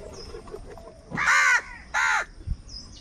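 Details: Angry crow calling over food: two loud, harsh, drawn-out caws about half a second apart, each rough and rasping, with faint background chatter between them.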